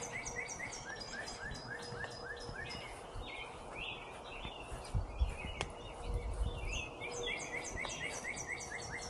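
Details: Songbirds at 6:57 a.m., 41°F and cool, heard while walking puppies near a garden: quick, high chirps and short twittering phrases, several voices overlapping, over a steady low rumble.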